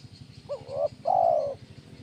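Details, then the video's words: One kuk 1 phrase from a spotted dove, tekukur, played to train birds: a quick rising-and-falling hoot, a short pause, then a long, full, gently falling coo over a soft ticking rattle. "SUARA BURUNG TEKUKUR KUK 1 GACOR"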